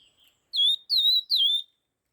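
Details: Red-tailed laughingthrush fast stimulating song: a faint soft note, then three strong whistled slurs in quick succession, each falling then steady, with nothing else audible.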